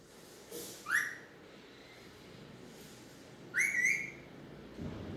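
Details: Talking Alexandrine parakeet, locally called mitthu, uttering two separated speech-like phrases, each a bright rising whistled syllable with a harsh onset, in a quiet setting with faint background hiss.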